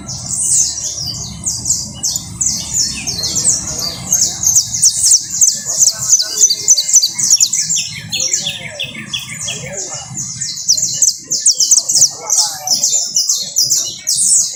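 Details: Canary singing a long, continuous trilled song: fast rattling rows of very high, sharp notes repeated several times a second, shifting between higher and somewhat lower rolling phrases, over a soft low hum.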